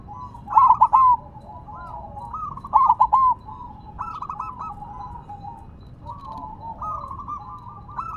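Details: Silver zebra dove set on the ground still singing strongly: two loud bursts of quick clipped coo notes about two seconds apart, then steady softer rolling coos from other doves.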